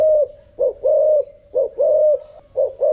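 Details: Spotted dove decoy call used in daily dove training: a few phrases of a short coo followed by a longer, level, mellow coo, roughly one phrase per second, with a faint constant high tone.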